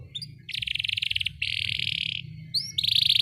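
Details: Canary song as a tutor recording for rarely singing canaries: dense high buzzy trills in long bursts, broken by short rising whistled notes, over a faint low background hum.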